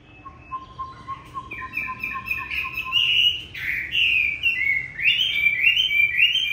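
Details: Chinese hwamei kept as a caged bird in a room at home on a very cold day, plumage still growing; a soft low repeated note builds into loud rolling whistled phrases, swooping and climbing in quick succession.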